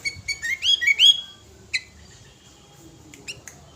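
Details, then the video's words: Five-year-old sooty-headed bulbul singing energetically with a full repertoire, used to lure other birds: a quick burst of bright, rising whistled notes, then a pause and a few scattered sharp chirps against a quiet background. "Kutilang gacor full materi"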